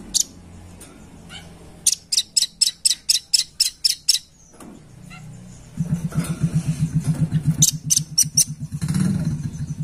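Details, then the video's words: Red-billed blue magpie call, recorded as lure sound: a fast run of about ten sharp, buzzy notes, a pause, then more harsh notes over a loud low rhythmic engine-like throb. "Memancing Bunyi Suara Khas Burung Rambatan Paruh Merah"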